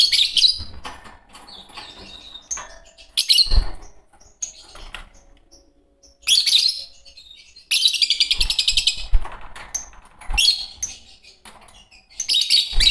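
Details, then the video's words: Caged green Fischer's lovebird pair in long spells of rapid, harsh high chattering and shrill chirps, including a fast trilled run near eight seconds, with quiet gaps and some low thumps. "Lovebird singing & chirping sounds -Green Fischer Pair"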